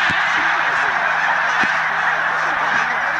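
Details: Mass flyover of snow and Canada geese alongside tundra swans at Middle Creek, Pennsylvania, 16 March 2015, on their yearly migration: a continuous hissing roar of countless honking voices with a few louder nearby yelps.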